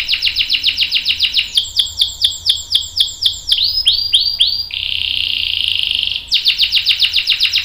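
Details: Canary singing long rolls to prompt other canaries to sing and to act as tutor song. Fast pulsed notes give way to repeated whistled sweeps, then a smooth continuous high buzzing trill, followed by more rapid pulses.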